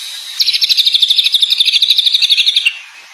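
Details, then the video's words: Greater green leafbird, a champion singer with a varied repertoire, delivers a rapid, even trill of about thirty sharp high notes lasting over two seconds, sliding slightly lower at the end, over soft background hiss. "cucak ijo gacor banyak materi"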